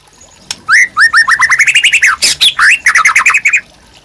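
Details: Captive White-rumped shama song used to train other birds: a fast string of short upward-sweeping whistled notes, broken by one harsh burst, then more quick rising notes.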